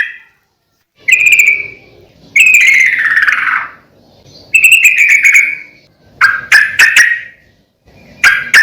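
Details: Sooty-headed bulbul in vigorous song, used as a master and lure recording to get other bulbuls singing: bubbly, warbling phrases of about a second, separated by short pauses, with sharp clipped notes near the end.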